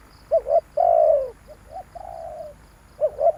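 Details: A spotted dove lure call: double short rising notes, a long falling coo, then a softer, lower-volume repeat of the phrase and the start of another. Quiet high ticking sounds underneath.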